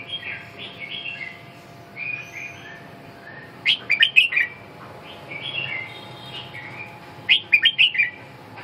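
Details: Red-whiskered bulbul singing two short bursts of lively slurred whistles, separated by softer warbling notes, above a low constant hum.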